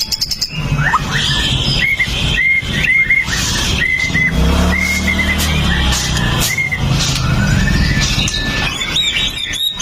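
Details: Fighter murai batu (white-rumped shama) of the 'pastol' type, full of imitations, recorded with a Xiaomi Note 8 Pro to provoke rivals: a string of short repeated whistled notes, roughly one every half second, above heavy low humming.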